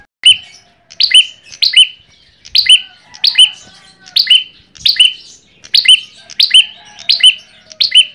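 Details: High, ringing chirp phrases of an Ashy tailorbird lure recording, about eleven in eight seconds, some coming in close pairs, each a rapid squeaky burst with a sustained whistle tail.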